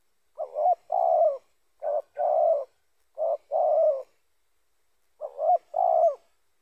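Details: Spotted dove coos recorded as bait for trapping other spotted doves: four repeated pairs of a short wavering coo and a longer mellow coo, roughly one pair every one to one and a half seconds.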